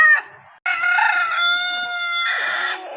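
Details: One rooster's long crow, a brief opening note, a short pause, then a sustained, even, ringing cry held for about two seconds that turns slightly hoarse before it cuts off.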